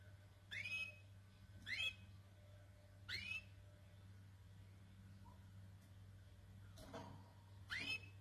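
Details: Canary singing: sharp rising whistled notes, each a quick upward sweep, repeated about every 1.3 seconds with quiet gaps, over a steady low hum.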